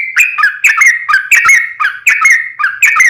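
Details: Sooty-headed bulbul lure song: short whistled phrases, each ending in a downward slur, repeated about every half second.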